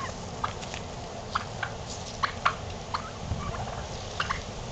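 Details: Domestic turkeys kept by their owner, strutting; short sharp clucking notes sound at irregular intervals over a steady low background hum, a few louder pairs near the middle and the end.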